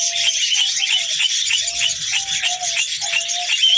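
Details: Female red-crowned parakeet ready for mating: quick rattling bursts of high chatter, each joined by a short, steady low whistled note, repeating about every half second.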